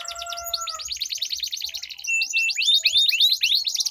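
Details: Two-bird canary song duel as a singing lure for competition birds: rapid repeated high notes, a faint low steady tone at first, then bright rising whistles run together in quick trills.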